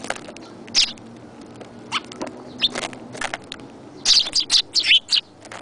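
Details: Sparrow: scattered sharp clicks and tapping sounds, then a quick burst of high, thin chirps near the end.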